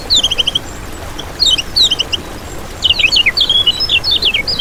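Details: Lemon-bellied white-eye, a recording used to lure birds: short bursts of high, quick repeated chirps, then a lively, rapid jumble of thin slurred twittering notes.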